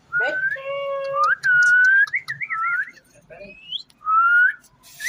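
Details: Pet ringneck parrot making talking-style sounds: a string of clear whistled notes, some flat and steady, some sliding upward, one wavering trill, with short pauses between phrases.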